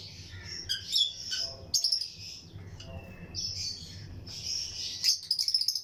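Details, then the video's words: Lutino lovebirds, pairs kept in a breeding colony aviary among other birds, give high, shrill chirps in overlapping bursts of chatter, with louder clusters near the start and end and a soft low hum beneath. "Lutino Lovebirds Breeding Colony Cage - Chirping and Relaxing Sound"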